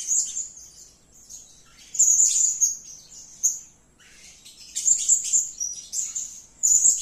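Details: Blue-crowned hanging parrot (serindit) calling in separate bursts of shrill, very high, thin twittering notes, with quiet gaps in between that are nearly silent, then a run of rapid squeaks toward the end.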